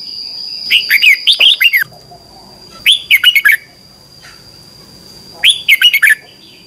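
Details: Morning duel song from a red-whiskered bulbul, three phrases of five or six sweet, slurred whistles falling at each end, spaced a few seconds apart, with a steady high electronic whine throughout.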